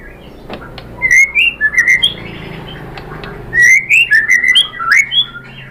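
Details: White-rumped shama song used to provoke other shamas: two bursts of loud whistled phrases with rising and falling slurs, quick clicks in between, separated by a short lull.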